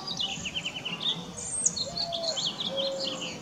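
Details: Cedar waxwings, a flock of about 35 perched in a very bare tree and searching for scarce berries. Thin, high, lisping notes and short descending chirps overlap throughout. Faint low tonal whistles and steady background hiss are also audible.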